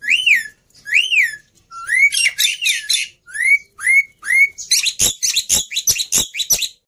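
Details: Black-winged myna singing, played to set other birds singing: two clear arched whistles, then rising whistled notes overlaid with grating, buzzy chatter, ending in a rapid series of harsh rasping bursts and sharp clicks.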